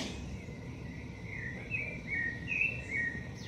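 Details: A shiny cowbird fledgling in a garden gives a few short, high chipping notes in quick succession over a steady rushing background hiss.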